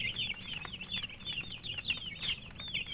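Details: A few seconds of feeding chicks, bright looping peeps repeated rapidly and overlapping, with one sharp clack of pecking and a quiet low hum beneath.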